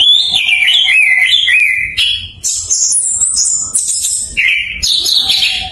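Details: Orange-headed thrush (anis kembang) learning to sing in long open phrases, used as a lure to prompt stalled birds to sing: a continuous, varied, melodious whistled song with quick sliding phrases, high bright notes and fast trills, with little pause.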